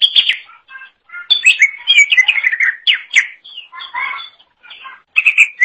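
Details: Greater green leafbird (cucak ijo) in full, energetic song for training other songbirds: a dense, nearly continuous stream of varied whistles, chirps and trills that rise and fall, broken by brief gaps.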